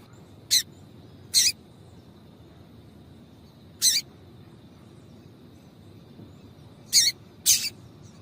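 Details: Female double-collared seedeater calling, a call used to warm up a male and set him singing. Five short, sharp, high chirps come at uneven gaps, two close together near the end, over a faint steady high whine and low hum.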